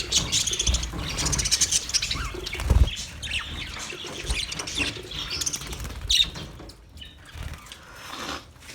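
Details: Budgies recorded on 29 February 2024: dense, scratchy chattering and short chirps run through the whole stretch, mixed with wing flapping and low rumbling noise, with louder bursts near the third and sixth seconds.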